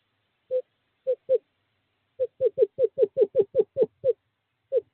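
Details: Courting male screech owl at owl box 5 calling a female, 2/11/2023: three spaced notes, then an accelerating run of about ten mellow hoots, and a final lone toot.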